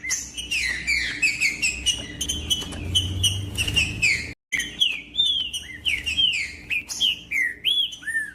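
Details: Green-winged saltator song meant to warm up other birds: rapid series of clear whistled notes, many sliding downward, delivered in busy bursts with a short break midway, then more spaced, looping whistles; a soft low rumble underneath.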